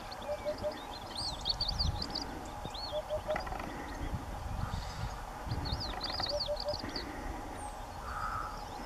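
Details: Eurasian hoopoe singing from the wall of a ruined house on a sunny day: soft, low triple hoots, oop-oop-oop, repeated about every three seconds, with other birds whistling and chirping and a low background rumble.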